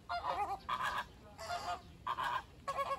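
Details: American flamingo, also called Caribbean flamingo, giving four loud nasal goose-like honks in about three seconds, each roughly half a second long with rich harmonics and a wavering tone, separated by short gaps.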